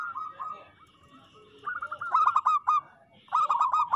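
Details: Local zebra dove singing. A softer trilled phrase is followed by louder, ringing phrases of quick, evenly spaced cooing pulses at a steady low pitch, separated by short gaps. A few faint, lower sounds are heard in the background.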